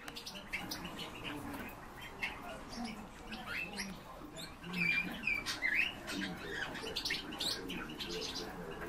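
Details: Eurasian bullfinches (Pyrrhula pyrrhula) giving a few soft, piping whistles midway through, set among many brief high chirps and ticks from a busy flock.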